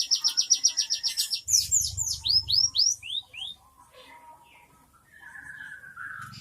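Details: Cinereous tit singing an 'isian mewah' fill: a rapid buzzy trill, then a run of descending whistled slurs repeated about four times a second, fading into soft warbles.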